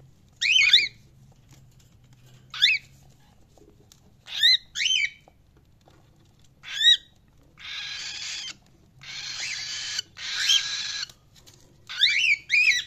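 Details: Cockatiel giving sharp, quick chirps spaced a second or two apart, with a few stretches of hissing background noise in between.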